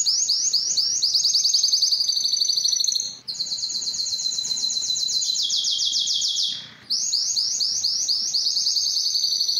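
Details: Belgian canary singing to stimulate females for breeding; continuous high rolling trills of rapid repeated notes, shifting between faster and slower phrases with two brief pauses, bright and loud throughout.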